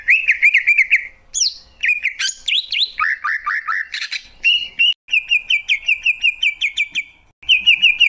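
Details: Greater green leafbird singing bursts of fast repeated whistles, slurred rising notes and scratchy flourishes, then a long even run of ringing notes, a short gap and another run.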